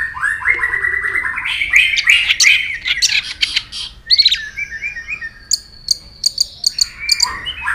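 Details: Competitive White-rumped shama song, the bird stirred up against rivals: a long buzzy rising trill, dense rattling notes, then high thin whistles and a series of sharp clipped notes near the end.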